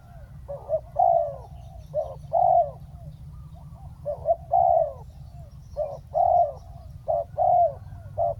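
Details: Decoy spotted dove calling to lure a wild dove onto the ground, pouring out steady coo phrases, short clipped notes paired with longer drooping ones, repeated roughly every second and a half over low hum.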